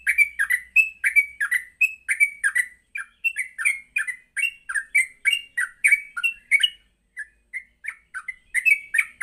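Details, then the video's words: Vigorous morning song of a yellow-vented bulbul, used as a lure to train bulbuls to learn sounds and sing in rapid ngropel style; bubbly, warbled notes repeated in quick succession, with one brief pause near the end. "Pancingan Pagi burung trucuk Gacor sangat cocok untuk melatih trucuk belajar bunyi dan ngropel"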